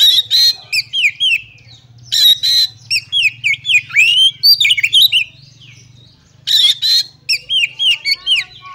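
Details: Fighting song of an oriental magpie-robin, used to challenge rival magpie-robins: rapid varied slurred whistles, downslurs and upsweeps, broken by loud harsh rasping bursts, in energetic phrases with a short pause midway.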